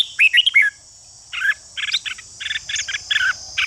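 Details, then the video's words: Red-whiskered bulbul ché calls that stimulate fighting song: a quick sharp chattering phrase, a brief gap, then a run of rough, blocky notes repeated rapidly over a faint high hiss. "Chào mào ché kích thích chào mào đấu giàn căng lửa"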